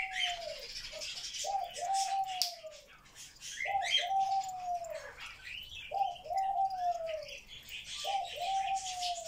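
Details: Grey parrot kept as a pet, described as talking non-stop all day, repeating a drawn-out falling whistle roughly every two seconds, mixed with soft clicks and chattering noises.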